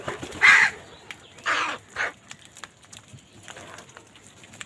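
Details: Crows fighting for food: one loud, raspy caw, then two shorter hoarse caws about half a second apart, followed by quieter noise.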